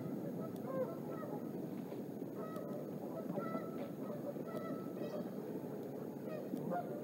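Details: Bald eagle at the Decorah nest as the female lands with a fish and eats, the male perched close by then circling; sharp, thin chirps given in loose bursts against constant broadband noise.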